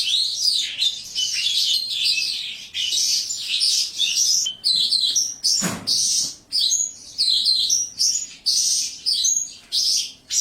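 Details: Lark in a tall one-metre cage sings a long, busy stream of shrill chattering phrases, later breaking into short repeated bursts about every second; a single knock sounds midway.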